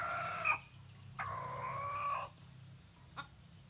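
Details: Crowing of a white-legged pale red junglefowl kept as a trapping decoy to lure wild birds; a short harmonic burst, then a sustained, slightly wavering tone about a second long, against low steady hum.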